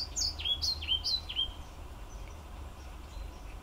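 A European pied flycatcher sings a brisk phrase of about four high, sweet notes, each dropping sharply in pitch, over steady low background rumble.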